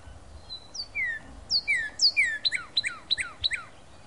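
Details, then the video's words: Northern cardinal singing in late February 2012: a thin high note, then loud clear whistles slurring downward in pairs, ending in a fast run of five sharp down-swept chirps, against a quiet background. "Cardinal Singing Late February 2012"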